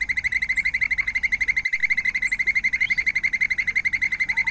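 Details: A White-necked puffbird gives a continuous, fast, buzzy trill of identical high notes that holds a level pitch throughout.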